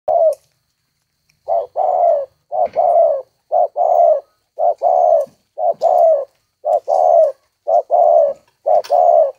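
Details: Captive spotted dove of a rare 'thổ' voice style, bred for its song, giving deep hollow coos in short phrases, each a brief note followed by a longer falling coo, repeated about once a second with brief gaps.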